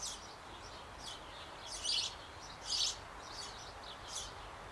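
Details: Sparrow nestlings in a Bavarian birdhouse on an old apple tree, shortly before leaving the nest, while both parents feed them; faint high scratchy chirps come in a few short bursts over a steady hiss.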